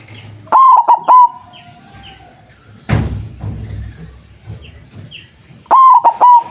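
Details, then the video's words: White zebra dove with a loud voice, used as a trapping lure: two bold stuttering coos about five seconds apart, each three notes with a held ending, a knock in between and faint higher chirps. "Perkutut putih suara besar sangat ampuh buat pancingan, malas bunyi langsung nyaut"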